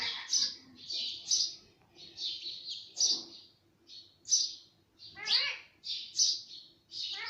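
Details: Pet talking parrot making short high squawky chirps, about one each second, a few sliding down in layered tones, quiet pauses between, and a soft low background hum.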